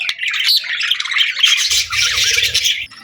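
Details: Several budgies chattering in the afternoon, a loud, unbroken stream of squeaky whistles and rapid chirps, with a low hum entering in the second half.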